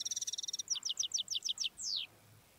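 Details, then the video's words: Wild European goldfinch phrase: a fast high buzzing run, then about eight evenly spaced bright chips, ending in one downward-sliding note. "تغريد الحسون الخلوي"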